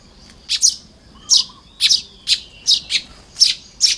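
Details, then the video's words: Baya weaver at work on its nest in the early morning, Lopburi, Thailand, 1 May 2026; a rapid series of bright, high chirps, often paired, about eight bursts in four seconds. "เสียงนกกระจาบทำรัง ยามเช้า"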